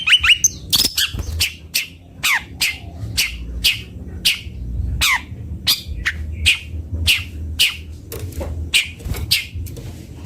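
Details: Long-tailed shrike (cendet bondol) song: a rapid run of sharp, ticking strokes with a couple of downslurred whistles early on, then evenly spaced clicks about three per second.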